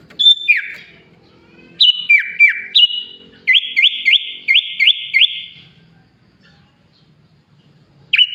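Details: Sooty-headed bulbul singing mimicked Sunda pied chat, green leafbird and Asian pied starling phrases: downward-sliding whistles, then six rapid identical rising chips, a pause of about two seconds, and one more whistled note at the end.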